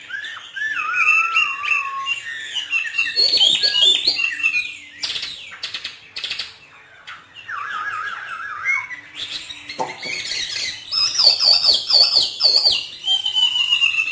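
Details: Northern Vietnamese trained hwamei in hót thả song: wavering fluty phrases and bright high trills, broken by a stretch of clicking and rustling sounds midway, before the whistling resumes strongly.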